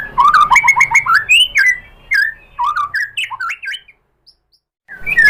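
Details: White-rumped shama (murai batu) song for provoking other birds: rapid repeated notes, then scattered loud whistles and harsh chatter, a second of silence, and a final loud burst.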